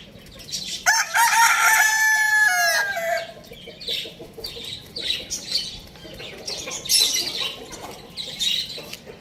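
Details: A loud rooster crow lasts about two seconds. It is rich and harmonic with a drawn-out falling tail. Afterwards many small birds keep up rapid, high chirping.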